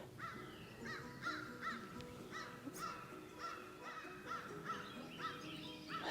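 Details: On an April morning in a garden, crows give a steady run of short, arched, mid-pitched caws, about two each second, amid chickens and other birds calling and a faint steady tone.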